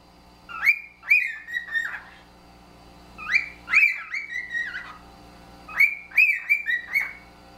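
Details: Caged pet cockatiel pair whistling together in a shared musical language built over three years: three bursts of bright wolf-whistle phrases, each a rising swoop followed by several quick falling notes, separated by short pauses.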